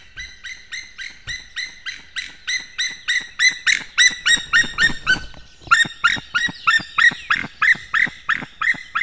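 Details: Male white-tailed eagle calling at dawn on 19 May 2016, about 06:05, while bringing fish to the nest: a fast, steady series of sharp, ringing yelps, roughly three per second, loud throughout with a brief stumble midway.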